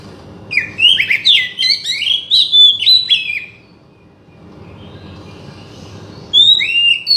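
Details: Oriental magpie-robin song used to provoke a silent bird into singing: loud, varied whistled and slurred phrases in quick succession, then a pause with low background hum before more high whistled notes resume.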